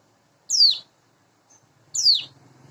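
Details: Caged young sunda bush warbler, known locally as cigun, singing in the morning: two shrill, very high notes sliding steeply downward, about 1.5 seconds apart, with a faint low hum at the end.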